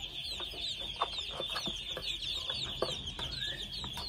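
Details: Many two-month-old red junglefowl chicks produce rapid, high, overlapping downslurred cheeps, accompanied by short scratchy taps and a single rising whistle-like note.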